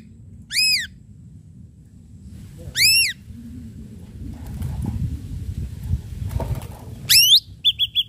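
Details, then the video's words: Ashy drongo in energetic lure song with sharp strikes: a few loud, arched, ringing whistles spaced seconds apart, ending in a quick downslurred whistle and short clipped notes over low rumbling background noise. "srigunting abu abu gacor PANCINGAN PUKULAN TAJAM"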